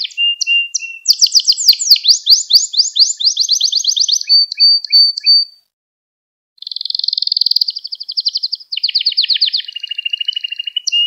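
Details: Gloster canary singing, used to stimulate and train other canaries: fast rolling trills and repeated high chirping tours with a clean pause midway, then buzzy trills resuming, with no other sounds.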